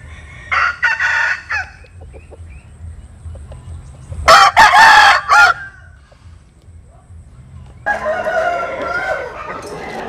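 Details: Dawn crowing from a rooster among chickens out in the morning sun: a short harsh burst early, then a loud stuttering crow in the middle, followed by a rougher, fainter crow-like phrase near the end.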